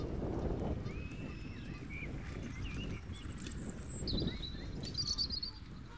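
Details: European robin singing in Crystal Palace: varied high phrases of thin whistles and rapid twittering trills, some very high and sparkling, with pauses between, over low background rumble.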